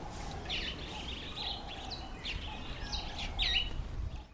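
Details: Female mountain chat producing brief sweeping chirps and twitters, several in quick succession near the end, over a faint low hum and environmental noise.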